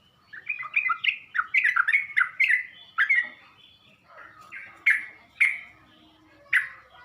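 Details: Sooty-headed bulbul lure call for provoking rival bulbuls: a fast burst of bubbly, warbled notes, then three or four well-spaced sharp chirps with short pauses between.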